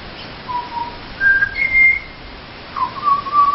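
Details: Visiting Pied Butcherbirds sing while begging for a feed. Separate fluty whistled notes step upward, low, middle, then higher. After a pause, a lower swooping note leads into a warbled whistle. There is little other sound.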